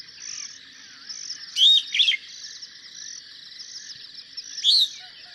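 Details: Superb starling (Lamprotornis superbus), call.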